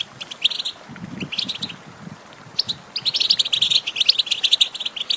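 A goldfinch sings a fast, tinkling run of high twittering and buzzy chirps in bursts. A soft, low cooing is heard faintly early on.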